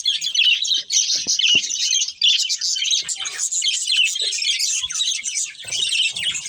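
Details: Budgerigar breeding pair chirping: fast high twitters and scratchy warbled phrases in uneven bursts, with a few faint clicks below.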